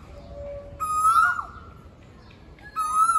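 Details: Asian koel (Eudynamys scolopaceus) song: two loud, clear whistled notes about two seconds apart, each ringing with a slight wavering dip, over a quiet background hum.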